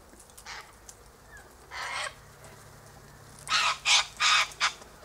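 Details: Loud, grating screeches from Sulphur-crested Cockatoos feeding on seeds in a silky oak tree: two separate harsh cries, then a rapid run of four rasping blasts near the end.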